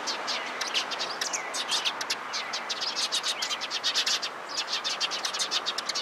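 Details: Flock of sparrows clustered nearby, 16 February 2017, alarm calling: rapid, repeated harsh chirps several per second, many birds overlapping, with a hiss of background noise.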